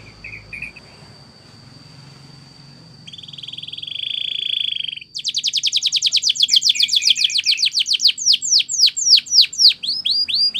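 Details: Belgian canary training song: a faint high whistle, a sustained buzzy rattle, then a loud fast trill of sharp notes that loosens into spaced falling chips.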